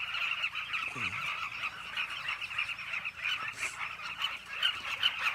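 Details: Cliff colony of Carmine bee-eaters: many birds giving rapid, rough, overlapping calls in a busy, unbroken chorus, with occasional louder individual notes rising above the crowd.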